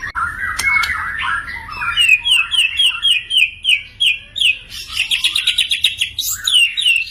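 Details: White-rumped shama song used to make silent, stressed shamas respond. A warbled opening leads into evenly spaced rising whistled phrases that climb higher, then rapid high chirps and a final loud sweep.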